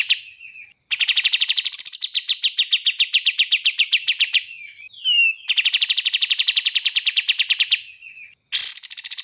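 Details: Long, rapid pulsed trills of a bar-winged prinia separated by short buzzy and slurred notes, each trill rising at first then holding steady, ending with a high sharp burst.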